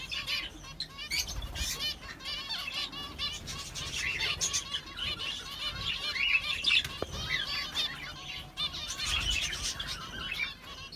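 A busy flock of sparrows chirping, with bright, rapid, overlapping high chirps throughout, and occasional wing flutters.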